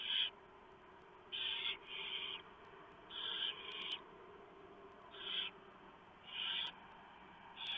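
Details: Barn owl nest at 3:59 AM on 3 November 2015, owlets being fed after the male brings a huge mouse; a run of about eight harsh hissing bursts, some in close pairs, with sharp clicks.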